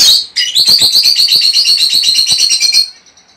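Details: Caged lovebird pair giving a mating call for breeding: a sustained, fast trill of shrill high chirps, about four per second for nearly three seconds, then a thin fading note.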